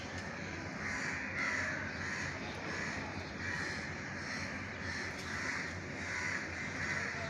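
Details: Crows calling as food is put out for them: hoarse, repeated caws in loose, irregular bursts about every second, with constant low ambient rumble behind.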